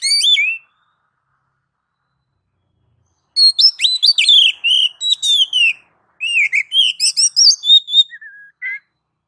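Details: Kacer, the oriental magpie-robin, singing a ngeplong-style master song meant to get other kacer singing. A short whistled burst, a pause, then a long rapid sequence of varied sliding whistles and chirps, ending in lower, softer notes.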